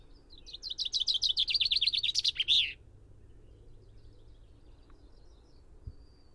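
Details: Common chaffinch singing one full strophe: a quick, accelerating trill of sharp high notes about two seconds long, closing with a loud terminal flourish, followed by several seconds of quiet background.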